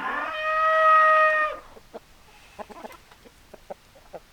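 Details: Chicken: a rooster's loud, drawn-out crow lasts just over a second. It is followed by a scatter of short, soft clucks spaced irregularly over the remaining seconds.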